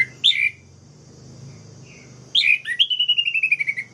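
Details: Orange-headed thrush singing, a song meant to provoke rival birds into a frenzy: a short sharp whistled phrase, a pause, then a bright burst followed by a long descending run of quick, evenly repeated notes.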